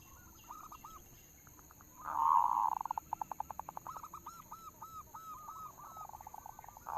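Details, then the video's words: Local zebra dove (perkutut lokal) lure song meant to set other doves singing: soft hooked coos near one pitch, then a loud burst, a rapid train of staccato pulses, and a run of evenly spaced curling coos. "suara pancingan perkutut lokal"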